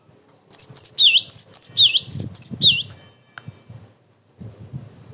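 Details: Cinereous tit song, an energetic bird used as a lure to provoke other tits and as training material: a phrase of high sharp repeated notes, paired chips followed by a lower swooping dip, about two seconds long, with faint low knocks afterward.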